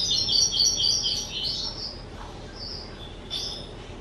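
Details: Pet skylark, two years old, on 18 April 2023: a rapid trilled run of high warbled notes at first, then separate short whistled chirps with pauses between them.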